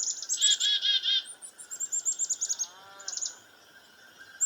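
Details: A Black-capped Chickadee alarms at a goshawk preying on a dove near a farmhouse, giving harsh, buzzy dee notes and then a rapid run of thin, high chips. A fainter, lower call is heard briefly.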